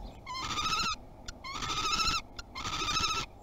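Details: Common kestrel at a nest box in Théding, France, on its first 2021 visit, 30 March: three long, vibrating, high whining calls separated by short gaps, with faint clicks between them.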